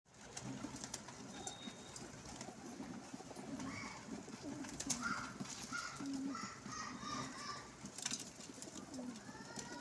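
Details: Pigeons at a window, a mix of black, grey and white birds, giving low rolling coos in overlapping bursts, with brief higher chirps from other small birds in the second half and steady background hiss.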